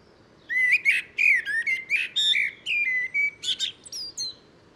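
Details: Common blackbird singing: a clear run of fluted whistled notes, mostly level or gently rising, over about four seconds, ending in higher thin squeaky twitter; quiet background.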